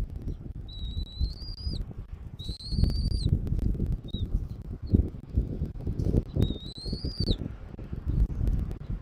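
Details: Bald eagle calling at a nest in Southwest Florida, 13 January 2024, 14:17. Three long, high, thin whistles, each slightly rising then dropping, with a short peep between, spaced irregularly over strong, gusty wind rumble.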